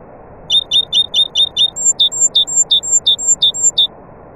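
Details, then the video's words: Series of clear, evenly spaced high notes from a nightingale. A first run of six similar whistles gives way to a different repeated note, each sounded about three times per second, over low steady hiss. "طائر العندليب الحسنية وطيور أخرى Taghreed nightingale bird and other birds"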